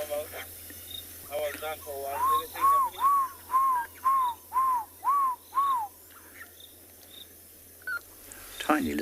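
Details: African barred owlet (Glaucidium capense) calling in a riverine area on an evening safari drive at sunset on 2 October 2020: about eight clear, arched whistled notes, two per second, over a quiet night background with a brief voice and faint insects.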